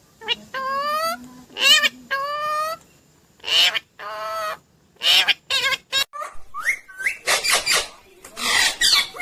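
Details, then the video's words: >Indian ringneck parrot talking: a run of voice-like harmonic syllables with a steady, nasal tone. Four long phrases in the first three seconds, then choppier word-like bursts, sharp rising squeaks and harsh, noisy screeches toward the end. "Natural Sound of Talking Ringneck Parrot"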